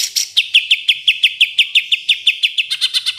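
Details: Greater green leafbird (cucak ijo) training song, full of the rapid 'tembakan' phrases favoured by contest judges: a crisp, high chirped note repeated steadily about twice a second, then denser doubled notes near the end.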